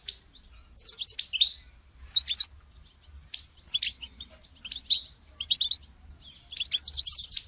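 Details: Goldfinch calling in captivity as a prompt for a caged bird that does not sing: short clusters of high, sharp chirps separated by quiet gaps, with a brighter tinkling flourish at the end.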